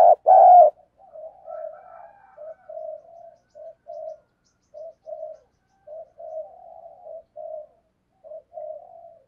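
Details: Decoy spotted dove giving an urging coo to lure wild doves: a loud low burst at the start, then short hollow mid-pitched coos repeated about every half second to one second in a steady series, with no other sounds.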